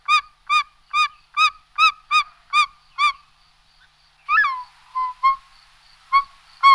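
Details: Short-toed snake eagle uttering a rapid run of eight short, clear hooting notes, evenly spaced, then a pause and a louder slurred note followed by scattered softer calls.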